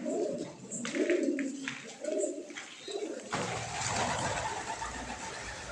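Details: Fancy pigeons with caps and feathered feet, from a Surat flock of around eighty birds, give soft, low, throaty coos for about three seconds before a burst of broad rustling noise covers them.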